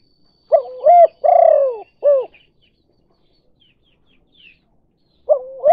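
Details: Spotted dove lure call of the kuk 2 type, used to attract other doves: low cooing phrase of short hooted notes and one longer drawn coo, then a pause before the phrase starts again.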